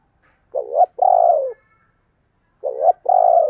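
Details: Spotted dove coos, thúc and gáy gọi type: two matching phrases, each a wobbling short coo followed straight away by a long steady coo that drops at the end.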